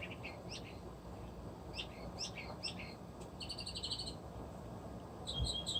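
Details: Resident northern mockingbird singing outside at an animal refuge, scattered squeaky chirps and slurs followed by a fast trilled burst and bright high notes near the end, with low background rumble.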